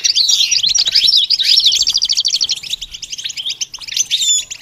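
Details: Goldfinch in full song, a fast sparkling twitter of quick repeated notes blending into buzzy trills and ending on clear high whistles. The recording serves to train young birds to sing.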